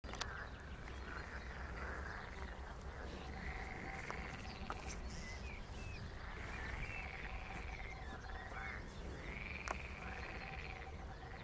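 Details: Common kestrel chicks being fed: drawn-out, arching, slightly harsh calls, repeated about every two seconds over a steady low background rumble.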